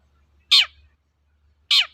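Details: Long-tailed shrike lure recording for prompting other shrikes to sing: two loud harsh notes that sweep downward, a little over a second apart.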